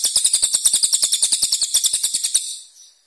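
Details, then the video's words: Cililin singing for contest-bird training, a single brisk burst of very high, rapid, slightly rattling notes lasting about two and a half seconds before fading out. "CILILIN GACOR tembakan kasar tajam"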